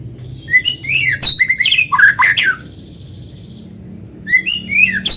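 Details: Lively song of a white-rumped shama, played as a lure to make other shamas sing along. Varied whistles and harsh, scratchy phrases, then a long steady whistled note, a short pause and a fresh burst of phrases.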